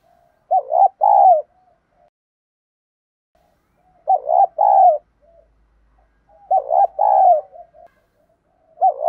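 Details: Spotted dove cooing in the 'thổ đồng' lure voice, played to encourage newly caught birds to start cooing. Three full phrases of clipped hooked notes ending in a long mellow coo, then the start of a fourth.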